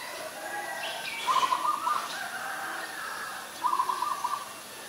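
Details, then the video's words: Two rapid, stuttering series of nasal notes, about two seconds apart, from an Ashy Woodswallow recorded in Ubon Ratchathani, Thailand, on 20 October 2021. Faint birdsong fills the background. "นกแอ่นพง : Ashy Woodswallow"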